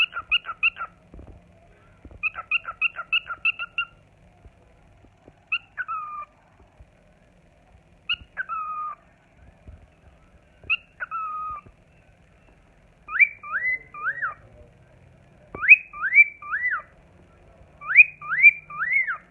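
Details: A pet cockatiel whistles a bright song of quick trilled notes, then looping slurred whistles, singing on seeing the camera.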